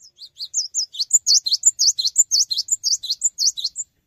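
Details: A cinereous tit singing actively without hopping: a rapid, continuous run of high, sharp chirps and slurred whistles, about four notes per second, with no other sounds.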